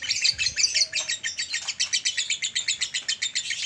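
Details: Male lovebird delivering its long chatter, used to train and excite adult males: a chain of harsh, buzzy high notes, roughly two per second, evenly spaced throughout.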